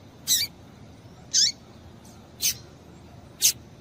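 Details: Four evenly spaced high chirps about one second apart from a female double-collared seedeater, calling so that males will sing; one note slides clearly downward.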